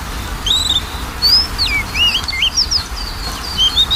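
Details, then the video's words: Varied Oriental magpie-robin song used as a lure for a lazy singer: wavering, looping whistles and quick slurred twists, some sweeping down and up sharply, flowing almost continuously over four seconds with steady light hiss. "PANCINGAN KACER MALES BUNYI"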